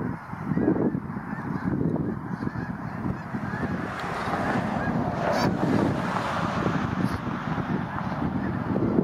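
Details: Thousands of snow geese on migration crowd a pond and spill onto the surrounding land in North Dundas Township. Unbroken wall of honking from the gigantic gaggle, steady and rising slightly toward the end, with some wind noise.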